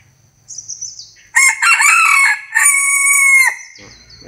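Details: Bantam rooster crowing: a loud, harsh crow of about two seconds. It opens with a rough, broken burst, then settles into a long, steady, strongly harmonic held ending. A faint high whine and low rumble come before it.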